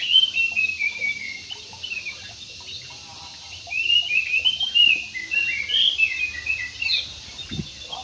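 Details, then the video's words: Jumbo budgerigars in an aviary chatter with strings of quick, high twitters, quieter in the middle and then busier again. "PARKIT JUMBO"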